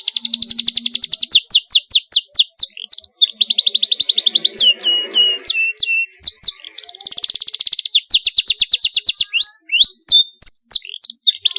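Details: Canary singing nonstop with sharp rolls to set young canaries singing. Loud fast trills are broken by sweeping slurred notes, with a faint low hum in the background.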